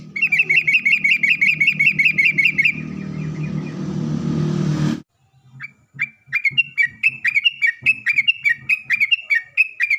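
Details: Lure recording of sooty-headed bulbul singing, meant to prompt bulbuls to respond: a rhythmic string of bright repeated chirps over a droning hum, a brief silence, then a looser burst of quick sliding chirps.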